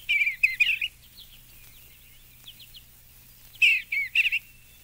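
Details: Eastern Bluebird giving gentle warbled song phrases of slurred whistles, a brief quieter twittering between them, then another burst of three notes after a pause.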